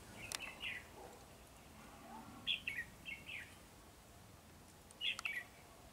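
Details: Red-whiskered bulbul singing with wings spread butterfly-fashion: a lively run of short, liquid whistled phrases in two- and three-note groups, pausing, then one more bright phrase, with a sharp click near the start.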